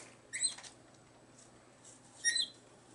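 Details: Pet brown-headed parrots playing indoors on a desk hutch: two short bursts of high, squeaky chirps about two seconds apart, with a quiet room in between.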